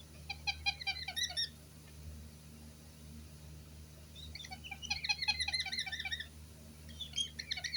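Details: White-bellied caique giving repeated bursts of rapid, scratchy chattering notes, high and uneven, separated by short quiet gaps, with a faint continuous low hum underneath.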